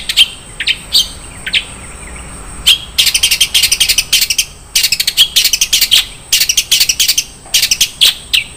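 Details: Long-tailed shrike in full 'isian mewah' song, as prepared for bird contests: scattered sharp high notes open, then several bursts of rapid buzzy chattering clusters separated by short pauses.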